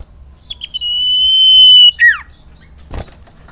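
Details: Common iora song used to train other songbirds: a few short notes, then one long, pure, even whistle held for about a second, followed by quick falling slurred notes and a brief burst of noise.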